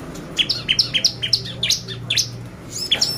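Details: Lure song of a bar-winged prinia meant to make birds excited: a quick series of short high notes stepping between two pitches, then a brief pause and more sharp chips, with a steady low hum beneath.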